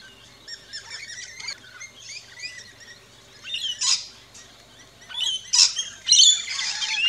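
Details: In an Australian backyard, rainbow lorikeets at a feeding station start with soft rapid twittering, then break into louder harsh squawks and a burst of screechy chatter near the end.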